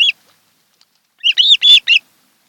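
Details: Webcam audio from an osprey couple's nest on Kent Island, Maryland, 26 July 2018, afternoon: a single short chirp, a pause, then four quick arched whistles in a tight cluster.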